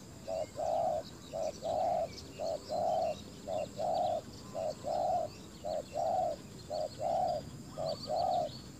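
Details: Decoy spotted dove calling to draw in wild doves on bare ground. Even, regular phrases of a brief coo followed by a fuller, longer coo, repeated steadily about once a second. Faint chirps from other birds sound in the background.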